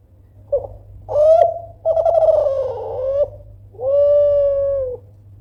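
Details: Vocal Kelantan spotted dove calls loudly to draw rivals into answering. A short note leads into a rising coo and a rough, pulsing falling coo, then a long, clear, level coo closes the phrase. A soft low hum continues.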